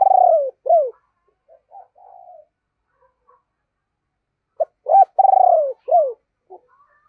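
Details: Deep-voiced spotted dove kept as a decoy, giving calling and urging coos to attract wild doves. Low, falling coo phrases open and return after a quiet gap, with a few soft faint notes between.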